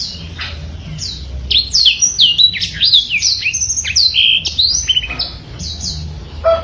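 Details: Black-throated canary in full masteran song: opens with scattered chirps, then a rich run of loud, clear downslurred whistles and twittering notes, tailing off into a few separated calls.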